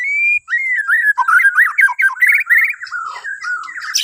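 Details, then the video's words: White-rumped shama of Borneo, its song used to spur other birds into morning singing: a long clear whistle, then a flowing sequence of looping whistled and warbled notes. "Kicauan Murai Batu Borneo❗Cocok Buat Pancingan Dipagi Hari"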